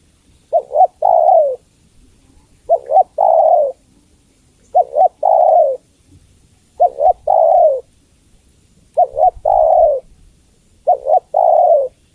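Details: Female spotted dove calling the male, giving six evenly spaced phrases roughly every two seconds. Each has two clipped hoots and a longer coo trailing downward, with quiet surroundings.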